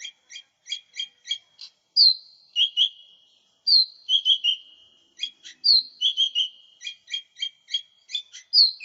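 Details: A lesser green leafbird delivers a lure song for training: evenly spaced sharp chips punctuated by clear whistles that slide downward and short two-note phrases. The background is quiet.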